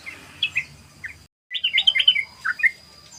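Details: Brief snippet of sooty-headed bulbul 'ropel' song, used as a lure: a few bright slurred notes, a momentary dropout, then a dense cluster of quick bubbly chirps.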